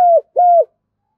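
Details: Decoy spotted dove gives two clear, smooth, low coos in quick succession, each held level and then dropping at the end, with silence after.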